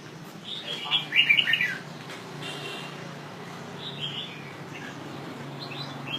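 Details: A northern Vietnamese red-whiskered bulbul, kept as a cage songbird, gives a short burst of bright, bubbly warbled notes, followed by softer scattered chirps over a low steady hum.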